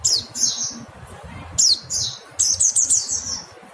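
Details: Thin, high mountain white-eye calls: a few downward-sweeping notes with buzzy trailing tails, then a quick cluster of four bright notes near the end, over soft low rumble.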